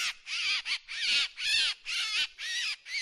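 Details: Rasping drongo notes in close succession, broad and noisy with rising and falling inner tones, each lasting about a third of a second.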